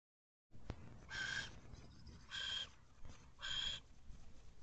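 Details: Male barn owl delivering another rodent to his mate and owlets at a nest box, filmed on an owl cam on 26 April 2023 at 3:53 pm; three harsh, hissing screeches, each about a third of a second, over faint background rumble.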